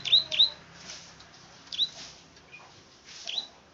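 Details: Plain prinia, called the klik-klik bird, gives two quick, high clicking notes, then single notes after long gaps, over a faint hiss.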